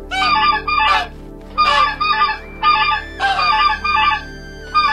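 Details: Goose uttering loud, drawn-out honks with a harsh, trumpeting tone in uneven bursts, layered over steady background music.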